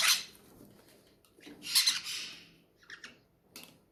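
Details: Hungry captive parrots at feeding time give broad, hoarse squawks: one loud rasp opening, a longer grating squawk midway, then short scratchy bursts trailing off, with a soft background murmur.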